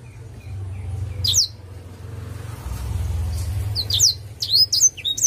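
Black-throated canary giving bright, high twittering bursts of quick sweeping notes, a brief phrase then a busier run near the end, over a low background hum.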